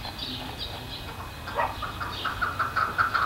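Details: A Chukar partridge from a flock living in a suburban Colorado neighbourhood, which cackles from fences and rooftops, gives a run of low clucking chuck notes that quicken and grow louder over distant traffic hum.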